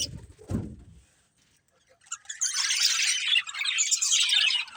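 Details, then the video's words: Low bumping sounds and a pause open the recording, then a budgerigar breeding pair breaks into fast, high, scratchy twittering for the final three seconds. "Cute Budgies Chirping Sounds"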